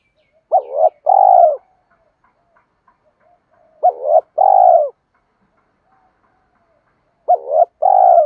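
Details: Spotted dove lure call, male and female voices, used by keepers training captive doves to provoke males to fight and call: three two-part coos, a short hooked note then a longer rolling purr, about every three seconds in silence.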